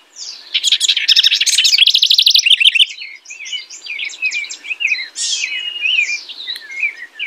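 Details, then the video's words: Singing house wren: an explosive, rapid rattling burst at the start, then a softer tumbling sequence of bubbly, sliding chirps and warbles. "Singing House Wren.(Troglodytes aedon)."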